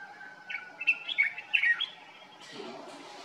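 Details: Common bulbul, filmed in Morocco in summer, delivering a brief burst of warbled, slurred whistles over about a second, followed by a soft rushing background noise.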